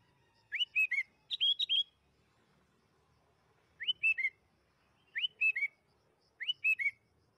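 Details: Sooty-headed bulbul giving a series of melodious three-note whistles, rising then stepping down, repeated roughly every second and a half after an opening quicker burst, in a lure recording for caged bulbuls.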